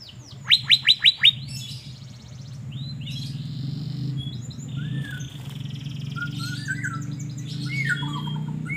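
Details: Caged Asian fairy-bluebird sunbathing in Banjarmasin, calling in a burst of five rapid, ringing upslurred notes, followed by a busy background of chirps and twitters from other birds.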